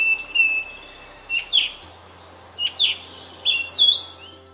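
A song thrush sings loud, clear, high phrases, each delivered in quick pairs before switching to a new one, with a confident, ringing quality.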